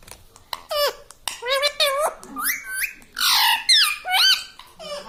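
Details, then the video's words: Pet parrot chattering indoors in rapid, nasal, speech-like syllables, each dropping or swooping in pitch, a run of mimicked words in quick succession. "Talking parrot || mitthu mitthu || tota || Bolne wala tota"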